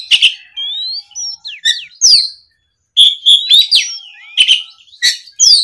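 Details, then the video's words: Oriental magpie-robin, provoked by a rival, sings clear rising whistles, buzzy slurred notes and loud sharp chirps, a brief silence separating two energetic phrases. "SUARA BURUNG KACER GACOR NGEPLONG"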